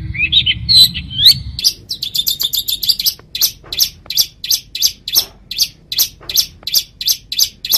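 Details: Long-tailed shrike (cendet) singing steadily: a few warbled whistles, then a long series of sharp, evenly spaced chipping notes, about two or three a second, with low hum early on.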